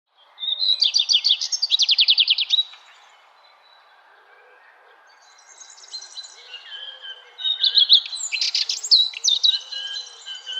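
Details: Wild birds singing in a spring or summer forest garden: a rapid buzzy trill in repeated pulses, then a quiet pause, then bright varied warbling phrases with chirps; faint lower calls behind.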